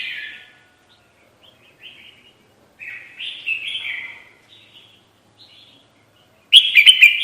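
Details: Lure call of a red-whiskered bulbul for trapping birds: scattered buzzy, slurred phrases with short gaps, ending in a loud cluster of sharp, clipped chirps.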